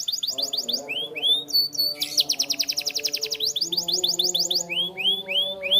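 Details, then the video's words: Canary training song with sweeping downslurred notes, a short dense trill and rapid repeated chips. Soft sustained instrumental music plays underneath. "Super Active Canary Singing Makes Your Canary Sound"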